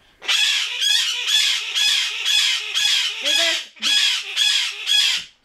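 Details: A pet blue-crowned conure in Magalia–Paradise, California, on 28 February 2009, loudly protesting while another bird is being filmed, gives about ten raspy squawks in quick succession, each roughly half a second long, with brief gaps.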